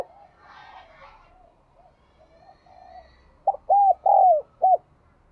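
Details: Spotted dove with the 'đồng chuông' ringing voice. Low background murmur and a faint soft coo come first. Then one clear, loud phrase: a short note, two hollow coos with a long falling glide, and a final clipped note.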